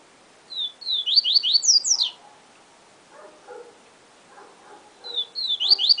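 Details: A Yellow-bellied seedeater (Sporophila nigricollis) sings the "siu siu professor" song type: a quick, high phrase of slurred, rising whistled notes for about one and a half seconds, then starts it again. Faint lower chatter fills the pause.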